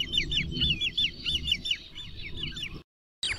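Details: Great crested grebe uttering a quick string of high, curved, whistled notes, several per second, before the sound briefly cuts out.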